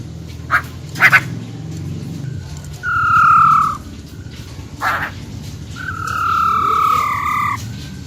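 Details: Female silver-eared laughingthrush in wild-style song, played to stimulate males: scattered clicks, then a falling whistle about a second long, a click, and a longer sustained whistle that wavers slightly and drops at its end.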